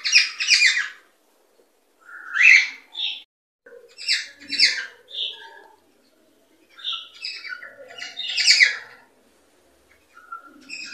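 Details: Cockatiel chatter meant to stimulate pairing and breeding: scattered harsh chirps and squawks in irregular groups, with quiet gaps between bursts and a few softer low notes.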